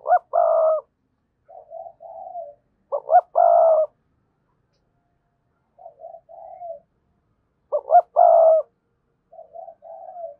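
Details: Decoy spotted dove with a fine, vigorous 'thúc' voice, giving three loud cooing phrases. Each is a quick double note and then a long steady coo, followed by softer low trailing notes. Phrases come about every four seconds in silence.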